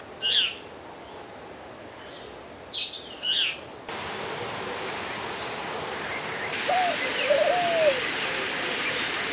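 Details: Purple glossy starling in a walk-through aviary. The species is from southwest Africa, lives in woodlands and savannas, and begs for food in places like Kruger National Park. Sharp, harsh chirps sound singly and in a pair, then two short, arched, lower whistles, over steady background hiss.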